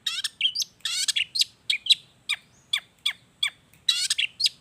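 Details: Long-tailed shrike lure song: alternating harsh rasping bursts and sharp downward-slurred whistled notes, delivered in a steady, varied stream.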